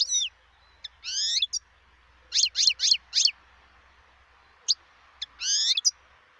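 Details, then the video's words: Wild European goldfinch, 2018. Sparse high notes include rising wheezy slurs and a series of four sharp, downslurred chirps, separated by pauses, over a soft continuous background hum. "صوت الحسون البري"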